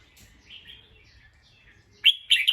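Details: An alert bulbul gives alarm calls after hearing a sound. Faint warbling comes first, then two sharp, loud, chattering bursts in quick succession close the recording.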